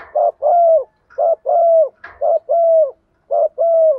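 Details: Decoy spotted dove cooing in the morning to call the flock: paired coos, a short note then a longer level hollow coo, repeated about once a second in four even pairs; quiet background.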